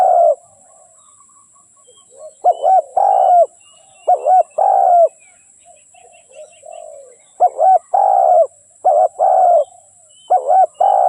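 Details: Spotted dove kept as a trapping decoy, cooing in bursts: soft low murmurs, then clusters of short wavering notes and longer mellow hoots, with thin, distant chirping from other birds in the background.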